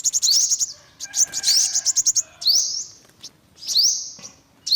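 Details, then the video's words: Olive-backed sunbird calling: very high, thin, rising whistled sweeps mixed with rapid dry chip notes, delivered in short bursts roughly every second, with brief pauses between bursts and no other clear sounds. "tiếng chim hút mật 5 màu bụng vàng"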